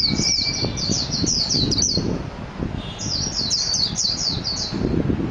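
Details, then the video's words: Japanese white-eye (mejiro) song in two rapid phrases of high, sweet, tumbling chirps, each about two seconds long, separated by a short pause, with low background rumble. "تغريد طائر ابيض العين الياباني ميجيرو"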